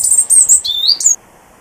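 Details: European robin singing its territorial song in darkness at 7:20 am on the winter solstice, from bushes at a back door, a brief high phrase of thin sweet notes and trills ending in a descending-then-rising whistle; two robins present.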